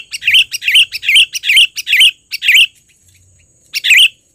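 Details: Sooty-headed bulbul, a trained bird calling loudly for luring: rapid run of sharp chirps with bubbly swooping notes, about two per second, a short pause, then a final burst, over a steady faint high whine.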